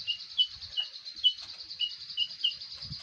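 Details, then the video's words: Konin used as a song tutor for songbirds: quick bright chirps repeated at an uneven pace, about seven in three seconds, set against a constant high-pitched whine. "Konin mewah masteran wajib kicau mania"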